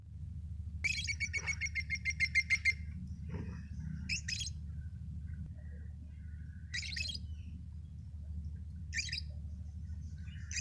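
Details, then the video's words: Lovebirds chirping: a fast run of harsh, buzzy chirps, then scattered squeaky chatter every couple of seconds over a steady low hum. "Love birds chirping sound"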